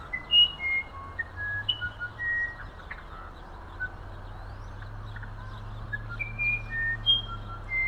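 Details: Musician wren, or wirapuru, from the humid forests of the Amazon, delivering an elaborate run of pure flute-like whistles, notes leaping up and down in pitch in quick succession, then a pause and a second phrase, with faint low droning behind.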